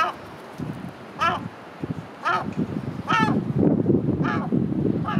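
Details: A herring gull at Great Orme, Llandudno, North Wales, in January 2018, gives five loud, nasal, harmonic calls about one second apart, each slightly wavering, over a steady low rumble of wind or surf.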